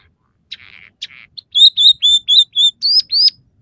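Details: Scaly-breasted munia singing one of its three song variations, with borrowed house sparrow, red siskin and canary phrases: two soft buzzy notes, then a quick row of clear whistled notes, the final pair sliding upward.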